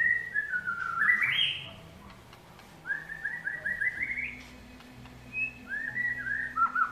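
White-rumped shama singing rich, fluting whistled phrases: sliding notes, then quick rising runs of slurred whistles around three to four kilohertz, with low hum underneath.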